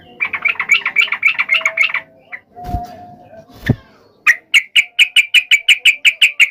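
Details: Yellow-vented bulbul singing an aggressive fighting song intended to make rival bulbuls reply immediately: a fast stream of repeated sharp notes, then scattered clicks and knocks, then a rhythmic series of loud clipped chips about four per second.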